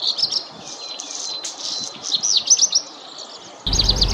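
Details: Black redstart singing a varied phrase of high chirps, a thin steady whistle and quick sweeping slurred notes, ending in a sudden low thump or rustle over the final notes.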